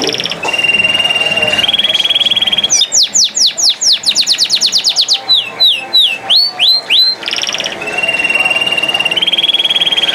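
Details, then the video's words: Canary singing: sustained trilled tones near the top of the range open and close the passage, with a fast run of steeply falling whistled notes and looping slurred phrases in the middle; faint music in the background. "Canari Singing | Kanari Sounds | Kanari Voice | Canary Beautiful Voice"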